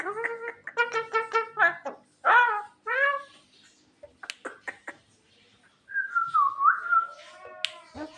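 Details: At night a Javan myna sings to call its mate, starting with a rapid burst of nasal, buzzy repeated notes. Hoarse upslurs follow, then a pause and a long, wavering whistled phrase with sharp clicks.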